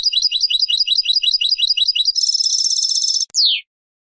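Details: European goldfinch song for teaching chicks, starting with a steady series of repeated high chirps, then a dense buzzy trill, ending in a short descending whistled slur.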